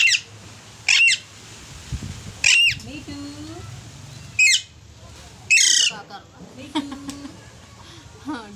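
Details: An Alexandrine parakeet gives loud, harsh screeches in five rasping bursts about a second apart, with soft human voices murmuring between them.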